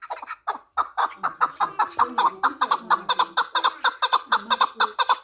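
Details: Pamir chukar partridge, four years old, kept for fighting and hunting, calls in a steady beat of clipped, nasal chuk notes about two per second, with low murmuring voices mixed in.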